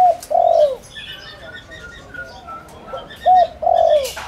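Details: Spotted dove kept as a lure to attract wild doves: a long, smooth, falling coo, a pause filled with faint twittering of small birds, then a short coo and another drawn-out coo.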